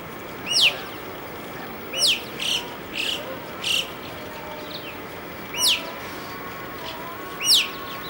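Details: A group of Alpine choughs squabbling over a slice of pizza give high, thin, sweeping whistled calls, about seven in eight seconds at an uneven pace, over a steady background hiss.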